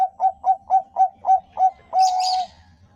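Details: Zebra dove of the Bangkok type, used as a lure to get other doves singing: a run of seven short, even coos near 750, evenly spaced about four per second, then one long drawn-out note, with a brief high chirp from another bird over it.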